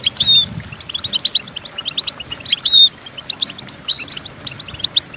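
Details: Goldfinch song meant for training goldfinches to sing, with quick high tinkling twitters, a few clear whistled notes and short buzzy trills coming in uneven bursts, over faint low background rumble.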